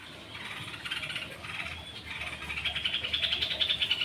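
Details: Long-tailed shrike (cendet, pentet) singing in the energetic 'rol dot' style, answering a lure of other birds: rapid, buzzy chirping notes that rise and grow louder, repeated about three times a second.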